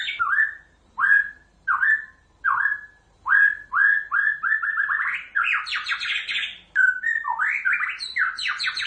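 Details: White-rumped shama repeating a short falling whistle about once a second, then speeding into a fast, excited run of varied high whistles and sweeping notes.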